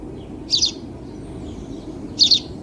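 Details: Two bright, quick double chirps from a house sparrow, about 1.7 seconds apart, with a faint low background rumble between them.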